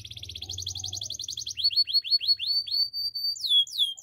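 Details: Canary song for training: fast chattering trill with a faint low hum beneath, then clear sweeping whistled notes repeated about three per second, ending in high downslurred swoops.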